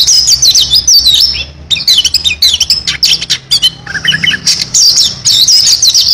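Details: Oriental magpie-robin performing a dense varied song: sweeping high whistles, harsh squawky rattles and a patch of low chattering notes, then more warbled slurs.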